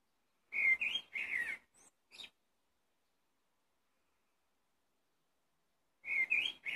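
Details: Blackbird singing: two loud rich warbled phrases mixing whistles and harsh twittering, followed by two soft high squeaks, a long silence, then another loud warbled phrase starting up.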